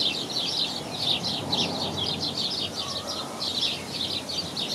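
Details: New Zealand bellbird in Southland, New Zealand, chiming at the end of a scene of a hen raising ducklings: bright, high chiming phrases in quick bursts about every half second, over a steady rustling background hiss.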